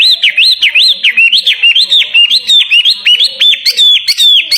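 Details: Hanging-cage songbird prepared for a contest, repeating quick arched whistles about twice a second, bright and high, ending with sharper, clipped notes.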